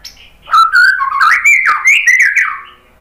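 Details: White-rumped shama with a continuous warbled phrase of wavering whistles that rise and fall, loud and close.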